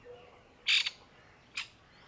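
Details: Grey francolin hen alarmed for her helpless newborn chicks among brown summer leaves; one loud, harsh, rasping double note followed after a pause by a single shorter sharp note.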